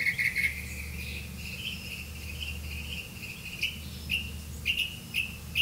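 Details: Black-bellied malkoha caring for nestlings: a fast triple chatter at the start, then isolated short clipped notes spaced irregularly over several seconds, against a low background hum.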